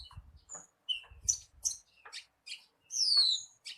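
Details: Javan bushlark song used to prompt a captive bird to sing: varied mix of thin whistles, buzzy bursts and a long falling whistle near the end, with low thumping noise in the first half.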